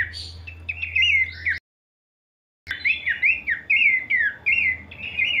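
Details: Horsfield's babbler in kleperan style, a run of sweet down-slurred whistles repeated rapidly, then a brief pause before the same falling phrases resume; low hum underneath.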